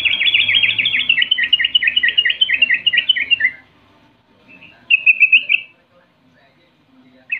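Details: Sooty-headed bulbul giving 'rol' lure song to make rivals answer: a long, fast series of slurred warbling notes for over three seconds, then silence and a short rolling trill.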